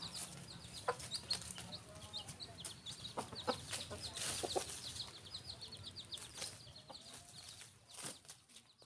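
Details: On a farm, rooster and hen make scattered low clucks under a constant stream of thin, high peeping notes, with clicks and handling noise.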